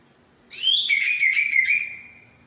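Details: White-rumped shama of the Medan type performing its repertoire of imitated phrases (bongkar isian): one loud phrase of bright high notes that settles into a long, slightly wavering whistled tone, with quiet background.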